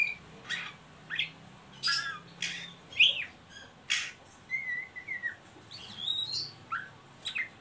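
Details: Oriental magpie-robin ngeriwik calling, meant to lure and stimulate young birds to sing: scattered harsh rasping notes mixed with short clear whistles and rising squeaks, spaced irregularly over several seconds against a faint low hum.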